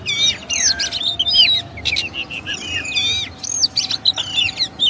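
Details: Kacer, the oriental magpie-robin, delivering a lively song of loud whistles, rising and falling slurs and rattling trills, phrases tumbling one after another over a faint steady background hum.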